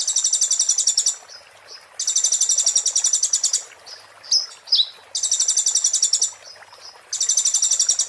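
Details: 'Muntah beling' song of an olive-backed sunbird (konin), a master recording for tutoring magpie-robins and shamas: four long, very high, rapid rattling trills of about a second each, with short sliding chirps and buzzy notes in the gaps.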